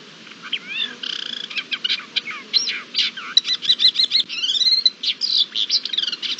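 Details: Thekla's lark in courtship display, recorded 28 March 2022, delivering a fast, varied song of rising whistles, buzzy rattled notes and mimetic twittering phrases, dense and continuous.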